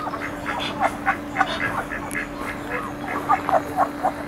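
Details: A Muscovy duck during a mating ritual at Icod de los Vinos, Tenerife, Canary Islands, gives a fast run of short, soft, breathy quacking notes, about four per second, over a steady low mechanical hum.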